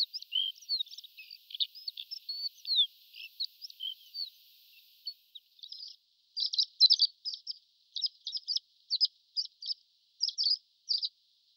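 Horned lark giving high, thin tinkling notes, first a rambling run of twittery slurs, then short clipped bursts repeated about every half second.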